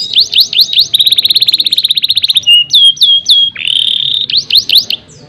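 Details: Canary in full song: quick looping whistles, then a long fast rattling trill, a few swooping slurs, a sustained rising whistle and more looping notes, all high-pitched and clear.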